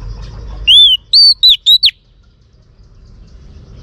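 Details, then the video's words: Single phrase from a female Oriental magpie-robin singing to excite males: one long clear whistle curving up and down, then three short sharp whistled notes in quick succession, with silence after. "Choè than mái kích trống hay nhất"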